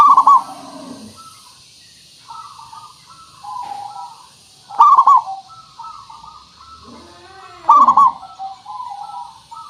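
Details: Local zebra dove lure song to set other birds singing: loud stuttering coo phrases around every four seconds, softer cooing between, plus low hoarse rising-and-falling sweeps from another bird.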